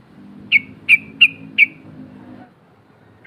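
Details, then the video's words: Four loud, evenly spaced 'cok' notes from a female sooty-headed bulbul calling to provoke rivals, used as a lure, each note bright and abrupt, with a low background hum. "SUARA TRUCUK BETINA NGEROL COK COK MEMANGIL LAWAN"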